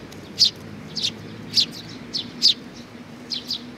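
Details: Sparrows visiting to be fed on 15 May 2019 utter sparse, loud, high chirps, about eight spread over four seconds, some in quick pairs, over a soft hum.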